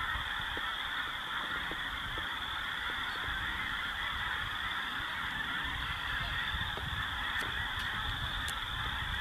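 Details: Snow geese and blue geese with Ross's geese and other waterfowl, feeding and resting on the prairies of the Dakotas during spring migration; steady far-off massed honking, a continuous hum of many voices, with scattered faint ticks and light wind.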